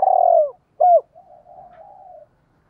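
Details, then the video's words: ['Decoy spotted dove giving a lure call to attract wild doves. A long, rough, rolling coo is followed by one sharp arched note, then a soft, even, trailing coo.'] "tiếng gáy gọi giọng hạp bổi dùng kích bổi mỗi ngày"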